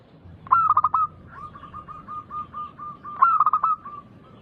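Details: Local zebra dove, a loud, persistent singer used as a lure to set other doves singing. Two loud bursts of rapid staccato coos arrive about three seconds apart, linked by a string of softer, evenly spaced coos.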